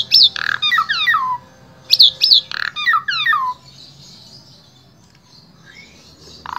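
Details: Asian pied starling in Central Java, Indonesia, with a varied song used to tutor other starlings: two bursts of tumbling downward-slurred whistles, then a long near-silent pause before a final harsh note.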